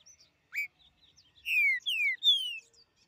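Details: Til til fiu mineiro song of a green-winged saltator in woodland: a brief upslurred note, then three loud, clear whistles, each sliding downward, delivered in quick succession against a quiet background.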